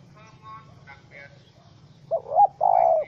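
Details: Trapped wild spotted dove (Spilopelia chinensis), angry, recorded 04/07/2017; faint harmonic chatter opens, then two loud low coos, the second long and steady, close to the microphone.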